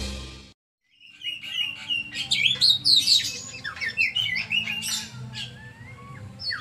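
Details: Oriental magpie-robin (kacer) singing, a varied run of whistled, slurred notes and quick chirps around a high pitch, phrases tumbling after a brief silent gap at the start, with a faint low hum beneath.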